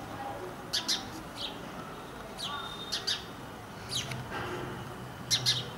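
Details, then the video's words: Chirping of an Indian house sparrow (Passer domesticus indicus), a bird of Indian towns and human settlements: bright, falling chirps in loose pairs and small clusters, about four bursts, over a soft hiss and low murmur. "Sounds of Indian Sparrow for Relaxation"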